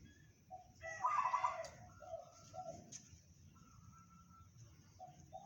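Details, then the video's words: Local zebra dove (perkutut lokal) singing in the 'bedah karang' style, said to carry 500 metres: one bright trilled cooing phrase near the start, then softer low coo notes over a steady background hiss. "perkutut lokal suara bedah karang tembus 500meter"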